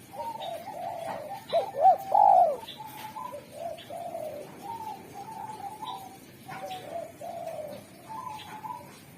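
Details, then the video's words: Derkuku, a Spotted dove prized for clear, melodious song that attracts wild doves: one loud phrase of two short coos and a longer rolling note early on, followed by many softer level coos from other doves. "Derkuku super gacor suara tajam, jernih, dan merdu pandai memanggil tekukur alam"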